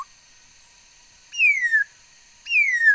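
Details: Bird song as two long, pure whistles, each sliding smoothly downward and spaced about a second apart, carrying bright overtones over a quiet background with a faint steady hum.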